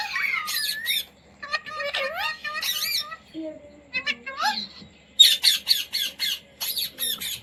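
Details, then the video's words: Pet Indian Ringneck parrot taught to talk, saying words such as "mummy" and "roti roti": high, nasal, speech-like phrases with gliding tones, then a run of rapid harsh squawk bursts, with laughter nearby indoors. "Parrot Talking | मम्मी | मिट्टू | रोटी रोटी | तोते को बोलना सिखाये | Talking Parrot"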